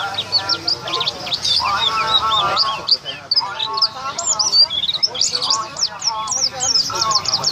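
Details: White-eye singing ahead of a contest at Bacan Enterprise, later a triple winner; fast, unbroken high-pitched chirping and twittering phrases, over a lower layer of chatter, voices and other mid-pitched sounds.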